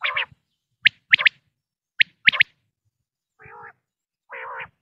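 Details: Common quail from a Pakistani quail-hunting lure recording: a few sharp two- and three-note high phrases, then two lower, buzzy, nasal bursts separated by silence.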